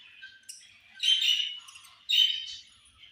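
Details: Budgerigars at feeding time: two loud bursts of dense, harsh chirping warble about a second apart, with softer scattered chirps between them.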